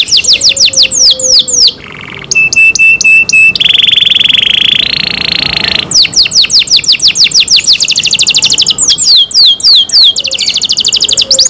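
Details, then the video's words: Pet canary in full loud song: fast rolls of down-slurred whistles, a clipped metallic series, a long sustained buzzy trill, then more rapid descending whistle tours and rattles. "canary Nice sound"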